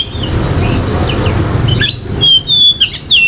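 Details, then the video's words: Oriental magpie-robin singing to provoke rival birds' aggression and breeding urge; faint thin chirps over a steady low rumble give way to a loud burst of clear, drawn-out whistles and sharp slurred notes. "KICAUAN KACER || CEPAT MERANGSANG KACER LAIN TERDONGKRAK EMOSI DAN BIRAHINYA."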